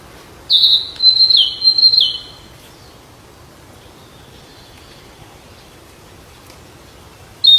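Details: Wild flycatcher delivering a brief high, warbling phrase of wavering whistled notes lasting about two seconds, then a long near-silent stretch and a final note at the end.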